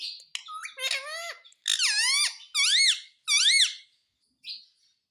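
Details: Talking ringneck parrot mimicking words like mummy and papa: several squeaky, arched, harmonic-rich syllables in quick succession, then a short faint note after a pause.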